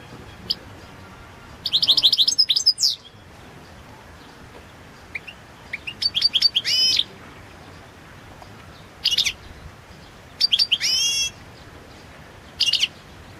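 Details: Balkan goldfinch, Carduelis carduelis balcanica, performing for the 2022 world goldfinch song championship, delivering short bursts of rapid, high, liquid twittering and buzzy trills separated by pauses of one to three seconds, with faint steady background hiss.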